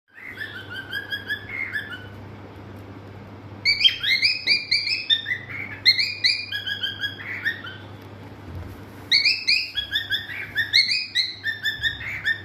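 A cockatiel sings a bright run of warbled whistles and chirps, rising and falling in quick phrases.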